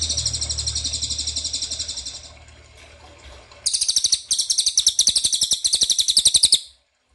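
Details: Lure recording of ashy tailorbird meant to provoke a reply: a rapid high buzzy trill over a low hum fades out, then after a pause a louder series of fast sharp repeated notes in short bursts.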